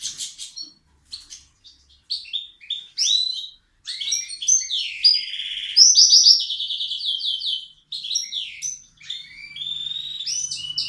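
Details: Indoor caged bird sings very loud each time its owner enters, then tries to peck when approached; a continuous jumble of sharp chirps, slurred whistles and a rapid buzzy trill.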